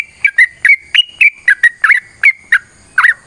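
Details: Fighting song of a sooty-headed bulbul, meant to stimulate other birds to sing, made of punchy whistled notes that swoop down or up, repeated at a brisk rate of nearly four per second.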